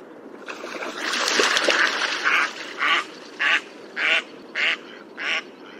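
A mallard gives a loud jumble of harsh quacks, then a run of six nasal quacks about every half second that fade toward the end.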